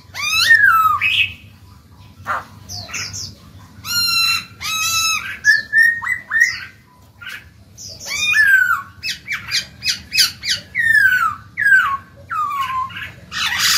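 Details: Caged black-throated laughingthrush singing to stimulate young birds to start singing: loud whistled phrases slurring downward, mixed with harsh buzzy squawks and rapid rattling notes, in bursts separated by short pauses, over a faint low hum.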